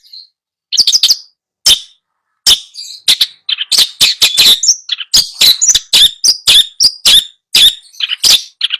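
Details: Long-tailed shrike song for training a bird that refuses to sing: opens with scattered harsh notes, then breaks into a busy, continuous medley of rasping chatter and short whistled and warbled phrases.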